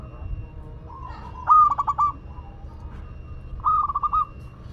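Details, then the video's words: Local Madura perkutut (zebra dove) song: a soft lead-in coo, then two bursts of quick pulsed cooing notes about two seconds apart over low background noise. "Perkutut Lokal Madura Gacor"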